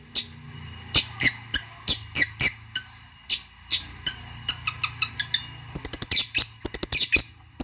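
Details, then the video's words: Long-tailed shrike lure song to anger a rival: scattered sharp, high chips and harsh notes that quicken toward the end into dense raspy chatter, over a faint low hum. "pancingan burung cendet bikin emosi lawan nya jamin nyaut"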